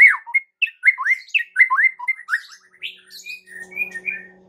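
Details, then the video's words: White-rumped shama song intended to provoke other shamas: bright rising whistled notes in quick succession, fading into softer high whistles over a low steady hum. "PANCINGAN Murai Batu Sangat EFEKTIF untuk Murai Batu kurang GACOR jadi NGAMUK"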